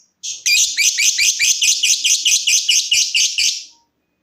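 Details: Lovebird trilling in ngekek style, used to encourage other lovebirds to trill: after a short pause, a loud harsh stuttering trill with about four pulses a second lasts over three seconds, with faint low clicks underneath.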